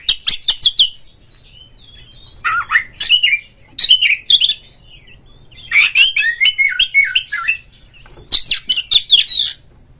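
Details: Oriental magpie-robin singing energetically, a recording meant to set other magpie-robins singing: four loud bursts of rapid clicks, chattering and swooping whistles, each lasting about a second, separated by short quiet gaps.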